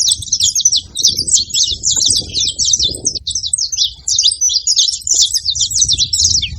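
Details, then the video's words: Several saffron finches chattering together: a dense, continuous stream of high, sharp chips and short twittering notes overlapping without pause, with faint low rumbling beneath. "Canarinhos da terra fazendo barulho"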